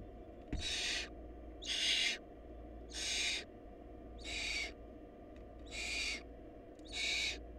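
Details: Barn owl nestlings in a family short of food, where the smallest chick died: harsh, hissing screeches repeated about once a second, six broad noisy bursts with steady low hum between.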